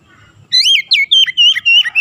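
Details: Oriental magpie-robin, 'ngerol nembak' style: about six loud, sweeping whistles, some rising and some dropping, given steadily one after another.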